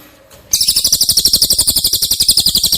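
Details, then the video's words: Cililin song for training caged White-rumped shama: a steady, rapid trill of high, piercing notes begins suddenly after faint background hiss and continues without a break. "Masteran CILILIN Materi Wajib untuk Burung Murai Batu anda!!"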